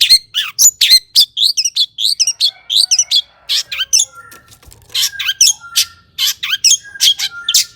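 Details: Energetic long-tailed shrike song meant to provoke other shrikes into singing: quick bursts of chattering, scratchy notes and twittering mimicry, a brief quieter pause midway, then more harsh notes with thin level whistles.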